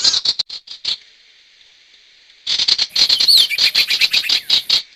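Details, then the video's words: Sirtu lure call for trapping wild birds: quick bursts of high, scratchy chips, a pause, then a dense run of rapid harsh notes with a thin squeaky whistle overlaid. "Suara pikat burung sirtu"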